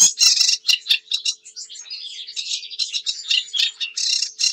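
A sedge warbler sings a fast, unbroken chatter of harsh, scratchy notes mixed with sweeter trills and buzzes, varying every fraction of a second.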